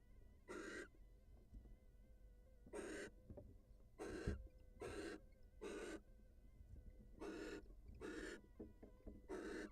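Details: Wild barn owls at a nest, the female leaving the nest to greet her mate; loud breathy hissing screeches about half a second long, repeated at irregular one- to two-second intervals over low background rumble.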